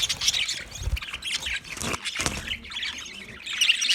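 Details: Budgerigar chirping and squawking: busy, raspy chatter with quick overlapping chirps and harsh short notes throughout, a couple of sharp low knocks, and a brighter twittering burst at the end.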